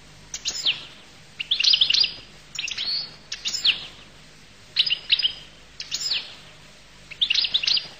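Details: Goldfinch song from Collo: short bursts of bright, tinkling, twittering notes repeated roughly every second, each phrase quick and high, separated by brief pauses, over a faint low hum.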